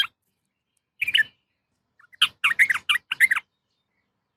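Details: A female yellow-vented bulbul calls a male with scattered short chirps, then a cluster of loud, bubbly, chattering notes, and a last faint note.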